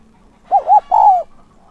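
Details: One calling coo from a decoy spotted dove used to attract wild doves: two brief rounded hoots, then a longer steady coo that slides slightly downward, over a quiet background.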